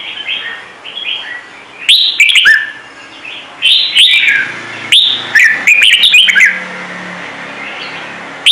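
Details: Red-whiskered bulbul of the Trung Mang type singing a song meant to prompt newly caught bulbuls to sing: loud, clear whistled phrases, sweeping up and down and bursting in short, rapid notes, with quieter whistles between the loud bursts.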